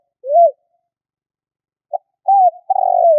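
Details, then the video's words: Spotted dove calling as a hunting lure: a single arched coo ends one phrase, a pause, then a short note, another arched coo and a long burring trill start the next. "Chim cu gáy kích bổi nhanh nổi"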